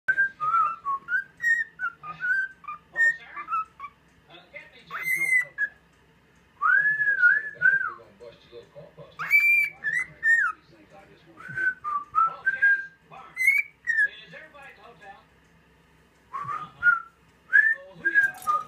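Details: A cockatiel whistles the Andy Griffith theme, a learned human tune, in clear, sliding phrases broken by short pauses. Recorded 9 September 2016.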